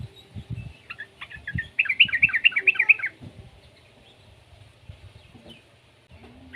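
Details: Young yellow-vented bulbul delivering a rapid, bubbling warble of quavering notes lasting about a second, preceded by scattered short chirps; soft knocks and low hum behind.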